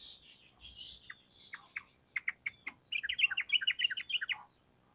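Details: Sooty-headed bulbul, recorded as a lure so birds answer quickly: soft whistled slurs, then sharp separate chips, breaking into a fast bubbly chatter.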